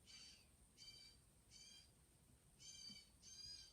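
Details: Blue jays, two of them arguing while eating cat food near a house, giving five harsh, raspy jay calls, each a short grating burst, about every two-thirds of a second over a low background hum.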